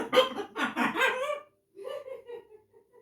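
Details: Blue-and-yellow macaw imitating speech: a run of hoarse, syllable-like vocal bursts, followed by softer, drawn-out murmuring notes that trail off.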